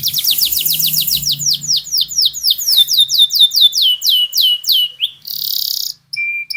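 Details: Canary, a songbird kept for singing contests, delivering a long continuous rolling song: rapid runs of downward-sweeping whistled notes, about two per second, then a buzzy trill and a steady high tone.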